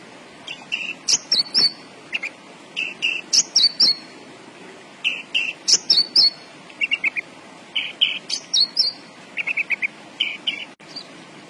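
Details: Javan bush lark singing actively, a lively outpouring of short high chirps, sharp upslurred whistles and buzzy trills delivered in quick bursts separated by brief pauses, with no other clear sounds.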